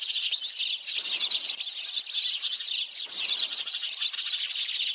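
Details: A recording used to lure sparrows into traps, of a bird said to live in flocks near people: many high chirps overlap into a steady, busy twittering chorus with no pauses.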